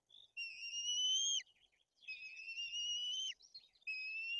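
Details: During chick feeding at a white-tailed eagle nest in Poland's Bory Tucholskie, where the older chick is aggressive, long high whistles sound with a flat pitch and a sudden downward slur, each lasting about a second.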